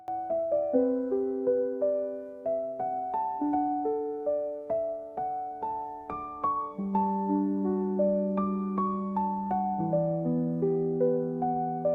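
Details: Soft electric piano music plays gentle repeated notes, with no animal sound heard.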